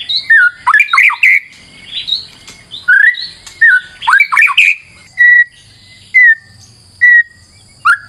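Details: Varied song of a white-rumped shama used as a lure, mixing harsh rattling bursts and slurred whistles, ending with four clear descending whistles spaced about a second apart.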